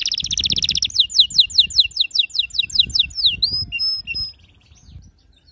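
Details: A canary sings a fast, buzzy high trill, then quick repeated falling notes, about three a second, ending in clear thin whistles, over a faint low rumble; song meant to prompt silent canaries to sing.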